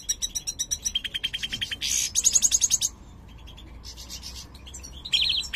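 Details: Large 'jilguero mayor' goldfinch with a colour mutation, said to sing badly, gives quick rattling trills of repeated metallic notes, then a second of near silence, then scattered twitters and a final buzzy burst.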